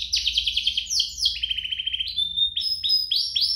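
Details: Duo of canaries singing energetically, offered as tutor song to prompt young canaries: fast strings of upslurred notes, a lower steady buzzy trill, then thin pure whistles and repeated quick upsweeps.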